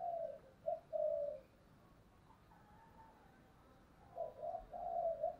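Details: Decoy spotted dove cooing to lure wild doves; two faint low coo phrases, short notes followed by a longer drawn-out coo, separated by a quiet pause with steady background hiss.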